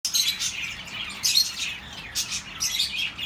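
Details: Pet birds chirping, meant to comfort lonely birds: a busy flock chatter of high, bright chirps and short twittering bursts coming in clusters about every second, many calls overlapping.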